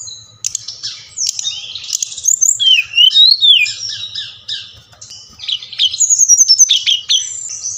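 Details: Song of a Bali-type Brown-chested jungle flycatcher, played so captive birds answer and sing: scratchy high notes leading into loud swooping whistles, a brief lull, then rapid repeated chirpy phrases, low hum behind.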